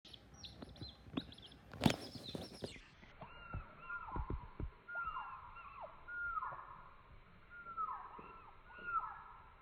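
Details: ['Young chicken heard in slow motion: drawn-out, low, downward-sliding calls repeated every second or so after a burst of loud knocks and rustling, over steady background hiss.']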